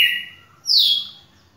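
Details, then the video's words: A champion red-cowled cardinal, recorded 11 May 2019, gives a short song fragment: a steady, clear whistle, then a brighter note sliding down in pitch, in a quiet room. "galo-de-campina campeão"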